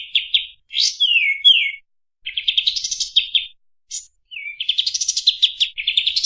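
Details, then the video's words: A kapas tembak (bulbul), recorded as a tutor song for training other birds, sings fast and dense: bright chips, quick rattling trills and sweet downslurred whistles in long bursts with short pauses. "Kapas Tembak Speed Rapat Nembak Durasi Panjang Suara Jernih"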